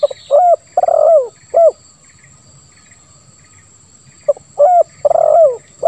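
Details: Two cooing phrases from a spotted dove in 'lambung kuk 1 suara ngeruk' style. Each has short mellow notes around a drawn-out, husky, downward-bending coo, with quiet faint chirping in the background.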